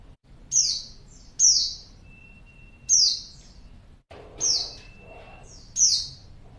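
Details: A female white-eye, played as a lure to draw replies from males, gives high, thin, sharp chirps, one roughly every 1.3 seconds, with a faint steady whine in the background.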